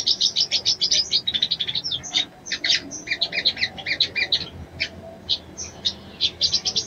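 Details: High, sharp chips from a female little spiderhunter calling a male to stir him, repeated rapidly and almost without break, slowing into spaced notes toward the end.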